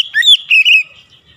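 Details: Oriental magpie-robin giving a brief fragment of provoking song aimed at other magpie-robins: two or three loud, clear whistled notes swooping up and down, lasting under a second, then quiet.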